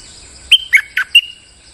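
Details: Bulbul used as a lure sound for trapping: one brisk phrase of four short, clear chirped notes, the first high and sliding, the last drawn out into a thin whistle, with faint high hiss behind.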